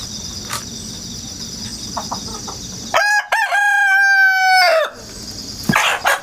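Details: Rooster crowing repeatedly in the countryside, recorded 1 September 2019 from a ladder with a GoPro and wireless microphone: constant cricket-like insect hum, then a bright two-second harmonic cock-a-doodle-doo with a choppy start, followed by short rough notes.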